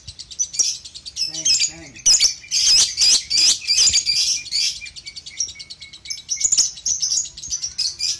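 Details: Lovebird of the Balibu kind, training audio for young birds: dense, choppy high chirping and chattering in irregular bursts, roughly two per second, continuing through the recording.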